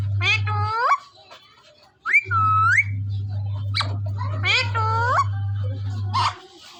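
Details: Indian parrot from Punjab alternating rough harmonic squawks that sweep upward with a clear, level whistled phrase, plus a brief harsh burst near the end, over an intermittent low mechanical hum.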